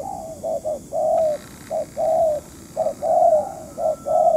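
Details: Spotted dove used as a decoy bird during trapping, giving a run of hollow cooing notes, short coos alternating with longer drawn-out ones, roughly one per second, clear and loud over faint background hiss.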